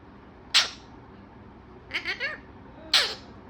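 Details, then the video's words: A talking parrot makes three short bursts: a harsh squawk, a quieter warbled phrase, then another squawk, over a low background hum. "बातुनी तोता"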